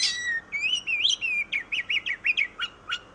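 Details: Melodious oriental magpie-robin (kacer) song: a sweeping opening whistle, wavering warbled notes, then a series of sharp, clipped notes repeated about three per second.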